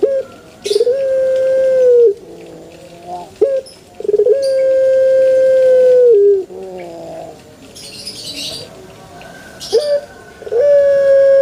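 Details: Cooing of a male Barbary dove, a sustained even-pitched tone about two seconds long that repeats after short pauses, with a few brief chopped notes and light scratchy noises between calls.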